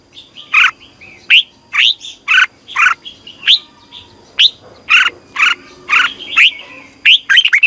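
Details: Morning singing by a red-whiskered bulbul, long twisted double-voice style, meant to train birds for competitive singing: loud, rising whistled notes repeated about every half second, ending in a quick chattering flourish.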